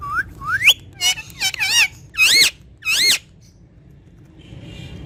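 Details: Pet rose-ringed parakeet talking in Urdu or Hindi: two rising whistled sweeps, then loud, rich, wavering word-like syllables in quick succession, followed by near silence.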